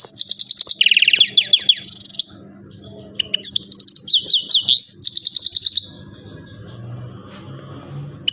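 Himalayan goldfinch giving two bursts of bright, high twittering song with rapid tinkling trills and buzzy notes, then a quiet pause with faint background hum.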